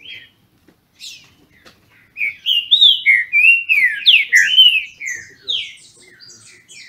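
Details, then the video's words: Caged Green-winged Saltator (trinca-ferro), Brazil, disputing in song: after a quiet start with a few thin notes, a loud burst of rapid, slurred, descending whistles follows, then softer trailing phrases. "Trinca ferro disputando!!!"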